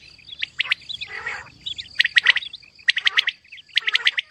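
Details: Female quail (batair) calling: short groups of sharp, scratchy chirps broken by brief gaps, with one longer buzzy burst near the start and a faint constant high-pitched tone underneath.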